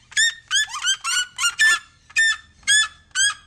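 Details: A captive pair of red-legged seriemas give their call: loud, nasal, harmonic yelps, about nine in quick succession, some sliding upward, in a rapid yelping series.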